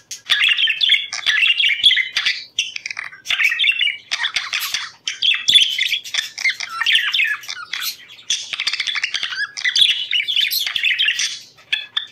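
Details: Extended budgerigar song for encouraging breeding; continuous chattering warble of chirps, squawks and buzzy notes in overlapping phrases.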